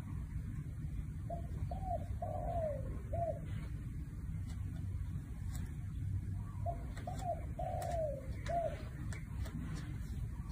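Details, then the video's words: Two full "1 kuk" coo phrases from a spotted dove, about five seconds apart. Each has short, mellow hoots leading into a drawn-out coo that glides downward, then a brief closing note. Low background hum throughout. "1 กุก เพราะๆ ชัดๆ นกเขาใหญ่"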